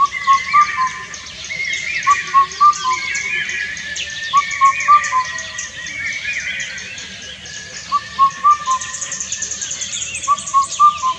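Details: Indian cuckoo (Cuculus micropterus) repeating its loud four-note hooting song about every two seconds, while other birds call higher in the background and insects hum steadily.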